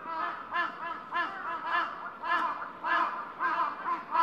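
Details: Crow flock back at its evening roost on Gaikotsu-yama: a steady chorus of harsh, nasal caws, repeated almost twice a second with overlapping voices, and no other clear sounds.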